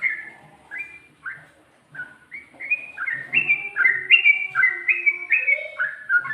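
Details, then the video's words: Sooty-headed bulbul song with ngikluk and ropel phrasing: spaced single slurred whistles at first, then a speeding run of bright, looping two-part whistled notes rising and falling in quick succession. "Burung Trucuk Ropel,ngikluk...ada ngGARUDAnya juga ll unik"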